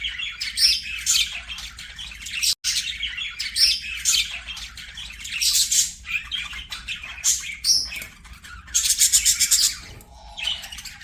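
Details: Singing, playing budgerigars keep up a long, dense scratchy warble of chirps, squawks and buzzy trills, with a louder rapid rattling stretch near the end.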